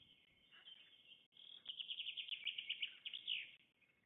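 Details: Black stork at a nest in the Łódź region of Poland during feeding on 24 May 2021, with a rapid series of high, squeaky chirps that swell into a steady chatter for about two seconds, over a faint steady background hiss.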